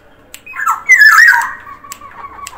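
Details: Sumbawa black-naped oriole in lively voice: one drawn-out, harsh, squealing call with wobbling pitch, fading into a few faint clicks.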